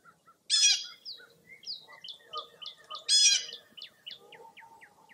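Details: Early April dawn chorus on a foggy morning at Mirror Lake State Park, Baraboo, Wisconsin: two loud, bright, buzzy bursts of song, with scattered high, sliding chirps from other birds in between and after.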